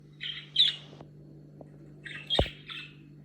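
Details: Budgerigar calling before and after talking: two harsh, scratchy chirps early, then a second burst of three squawky notes near the end, with a faint click and a steady low hum in the background.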